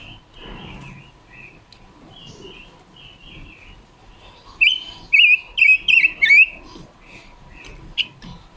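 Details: Red-billed leiothrix, a female decoy bird, singing as a lure to train and trap others of its kind. Recorded October 2021. Soft warbled notes build into a run of loud, clear whistled phrases with quick up-and-down twists, then fade to scattered chirps.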